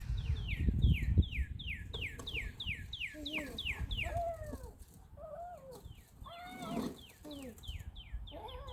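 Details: Northern cardinal singing on March 25, 2020: a fast run of about fourteen clear, downslurred whistled notes, then lower curved sounds and a few more slurred notes, over a low rumble in the background.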